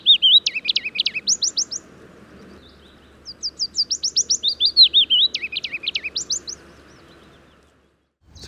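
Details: Willow Warbler at the Gibraltar Point dunes, Lincolnshire, singing two sweet, high phrases of quick descending notes, each about two seconds long, over a quiet background.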